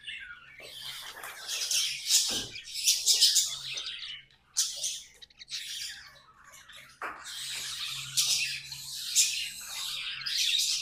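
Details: Budgies warble in a scratchy stream of chirps, clicks and squawks, with a few sharp broadband clicks and a faint low hum beneath.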